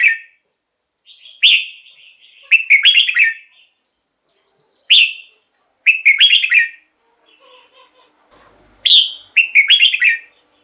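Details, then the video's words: Red-whiskered bulbul song, used for decoy work or played to excite caged bulbuls: short, bubbly, warbled phrases at a fairly high pitch, delivered in separate bursts about every three to four seconds, with brief quiet gaps and faint clicks between. "เสียงนกกรงหัวจุก สำหรับต่อ หรือ เปิดให้นกคึก เสียงเพราะๆ"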